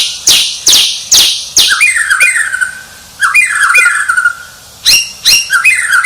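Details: Champion White-rumped shama singing: sharp harsh chack notes open, followed by bright falling whistled phrases that repeat with slight variation, then more harsh notes and a final whistle.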